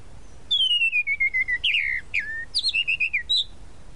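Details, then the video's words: Sabiá-da-praia, the tropical mockingbird, delivering a varied whistled phrase: a long descending whistle, sharp downslurred notes, then a quick series of short falling chirps, crisp against faint background hiss. "A SABIÁ DA PRAIA Tropical Mockingbird"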